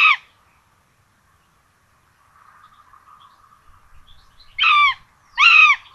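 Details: Common buzzards, two chicks at the nest in Tiszalök, Hungary, 26 June 2022, rabbit for breakfast; one call at the start, a quiet pause with soft murmur, then two loud arched harmonic calls.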